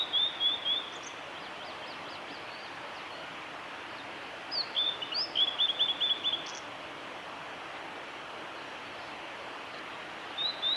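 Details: Spring song of a male blue-and-white flycatcher, recorded 25 April 2016 along the Kanazawa forest road, Lake Miyagase: high whistled phrases of rapid repeated slurred notes, one longer run near the middle, separated by pauses, against constant background hiss.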